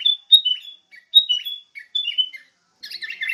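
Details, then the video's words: Sooty-headed bulbul singing, meant as a lure for teaching songbirds. Short whistled phrases of two or three sliding notes repeat about every second, ending in a burst of harsher, scratchier chatter. "PIKAT SUARA BURUNG KUTILANG (MASTERAN)"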